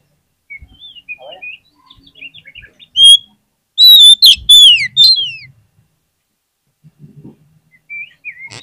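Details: Singing Oriental magpie-robin (kacer), a lure to get lazy magpie-robins responding: quiet twittering, then a powerful burst of rapid, descending whistled slurs, fading back to soft chirps.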